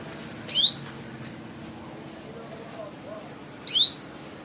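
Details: Canary giving a "cuit cuit" call, meant to stimulate young canaries to start singing: two brief high upslurred whistled chirps about three seconds apart over steady low background noise.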